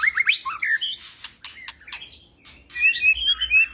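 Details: Male white-rumped shama in an aviary, calling a female to mate: a rich, varied run of whistled phrases, bright rising and falling notes mixed with harsh buzzy bursts, pausing briefly midway before a final warbling flourish.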